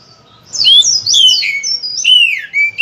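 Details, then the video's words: Oriental magpie-robin, kept bird, giving one short phrase of clear slurred whistles, rising then falling, loud and continuous for about two seconds. "Masteran Suara Kacer Gacor Volume Ngotot Full Isian, cocok untuk pancingan Kacer Rajin Bunyi"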